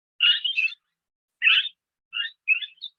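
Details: Barred (lineolated) parakeet call from the Cerros de Escazú protected zone, often seen in fast-flying flocks: four quick, high chattering chirps over about three seconds, the last two thinner and more broken.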